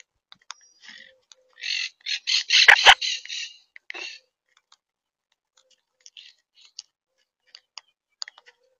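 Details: Monk (Quaker) parakeets in Tampa Bay, Florida: a short flurry of harsh, scratchy squawks, about a dozen close together mid-clip, framed by scattered clicks and faint chirps in otherwise quiet surroundings.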